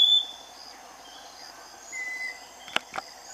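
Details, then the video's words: Scaly-breasted Wren (Microcerculus marginatus) vocalizing: pure, slow whistled notes, each lower than the last, over a steady insect hiss, with two sharp taps near the end. "Uirapuru veado (Microcerculus marginatus) vocalizando"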